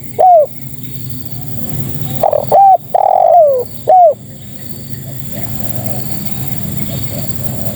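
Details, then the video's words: Female spotted dove calling to males: a lone short coo, then a loud phrase of a brief coo, a long hoarse coo sliding downward, and a clipped final coo, with faint steady background hiss. "Suara Terkukur Betina Memanggil Jantan"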